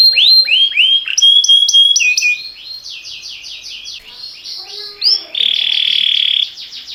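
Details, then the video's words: Canary singing a training song in timbrado style: curved falling whistles, a flat whistled note, softer varied warbling, then a loud sustained buzzy trill before fading phrases. "Cantar canário faz seu canário cantar - o melhor treinador"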